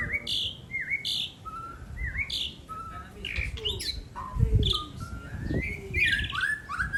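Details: Song battle between two birds showing off prized song material: rising whistled notes, buzzy chips and falling slurs follow one another quickly, with some low rumbling in the background.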